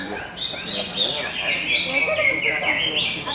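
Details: Greater green leafbird singing a rapid, varied run of high whistled and chattering notes, sliding up and down in quick succession, while a man talks steadily underneath.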